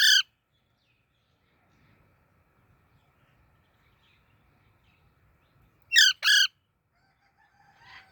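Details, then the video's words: Young parrot calling: a brief harsh chirp at the start, then a long quiet stretch with faint low background rumble, followed by two quick raspy chirps in a pair and a softer call at the end. "Baby Parrot Natural Sounds | Parrot Chirping Sounds"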